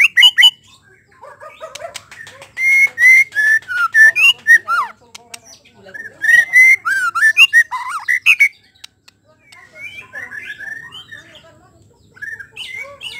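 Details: White-rumped shama song: a long, varied medley of clear whistled notes rising and falling, mixed with scratchy chatter, loud sections separated by quieter warbling.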